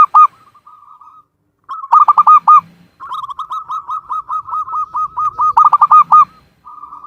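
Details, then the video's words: Local Javan zebra dove from Cilacap, Central Java, singing vigorously: repeated bursts of fast hooked coos linked by long runs of soft, evenly spaced notes, all at one mellow pitch. "SUARA BURUNG PERKUTUT LOKAL JAWA GACOR"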